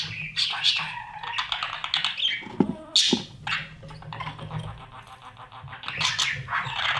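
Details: Budgerigar chicks fed by parents inside a nest box: rapid, ticking, rasping chatter and squawks in quick sequence, with a soft low rumble beneath.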